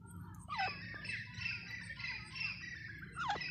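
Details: Grey francolin (teetar) giving a harsh, shrill, broadband call that runs for about three seconds. It opens and closes with sharp descending squawks, over a low steady hum.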